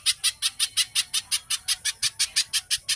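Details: Brief stretch of tight, speedy little spiderhunter song: evenly spaced, piercing, scratchy notes about five per second, a lure for getting kept birds to sing.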